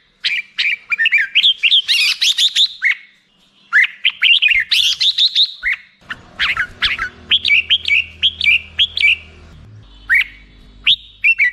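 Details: Black-crested bulbul singing continuously, with rising series of chirpy notes, rapid bright bursts and bouncy whistled phrases. A low steady hum sits beneath the second half.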